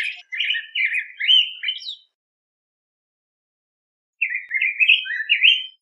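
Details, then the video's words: Yellow grosbeak (Pheucticus chrysopeplus) sings two rich, warbled phrases of rolling, slurred whistles, each about two seconds long, separated by a pause. "Picogrueso Amarillo Canto! Sonido! Cantando! Reclamo! - Yellow Grosbeak Song"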